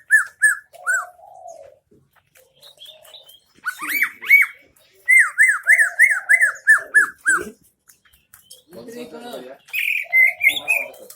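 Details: Greater green leafbird, Central Aceh, giving isian MB style song: short whistled notes, then quick runs of down-slurred ringing chips in a steady series, interspersed with a lower, softer drawn-out warble and faint high twitters.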